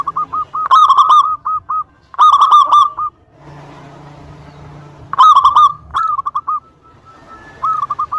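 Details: Zebra dove, local Indonesian stock, giving its provoking lure song to elicit answers from rivals: bursts of rapid mellow notes broken by a stretch of soft hissing noise, then more coo runs.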